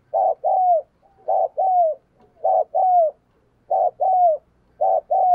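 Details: Persistent decoy spotted dove coos aimed at stirring up wild doves: five paired notes roughly every second, a short burst then a smooth descending tone, over a quiet low hum.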